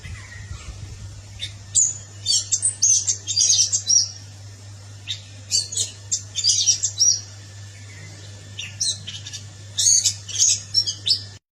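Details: Orange-headed thrush delivering a long run of high, varied, rapidly jumbled notes in clustered bursts with short pauses, almost continuous toward the end, backed by a steady low mechanical hum.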